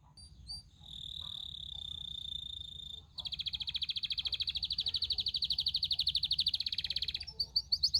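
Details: A canary holds a long, steady, pure whistled tone for two seconds, then switches to a long, rapid, rolling trill. The song ends with a few sharp chirps over a faint low background hum.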